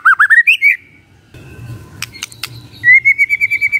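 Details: A magpie-robin sings in the morning to stir quiet birds to respond. It gives rising looped whistles, a pause with a few sharp ticks, then a fast, even string of repeated high whistled notes.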